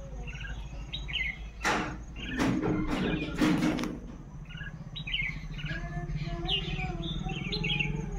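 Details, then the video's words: Group of common mynas calling in the morning: many short, scratchy chirps and squawky notes overlapping throughout, several loud broadband crackling bursts near the start, over a steady low engine-like hum. "Morning Myna Birds Sounds | Myna Birds Group Sound"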